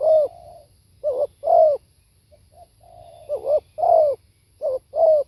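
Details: Spotted dove singing live: soft mellow coos in short and long pairs, a low flat drawn-out note between phrases, and a brief quiet pause in the middle.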